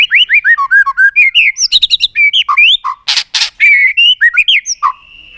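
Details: White-rumped shama singing, used to stimulate birds to sing and flick their tails: a fast run of clear slurred whistles, then buzzy rattling bursts and a long steady high note at the end.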